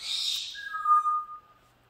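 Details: Angry, ranting pet male galah cockatoo: a short noisy screech runs into a clear, steady whistle that dips slightly lower and fades out after about a second.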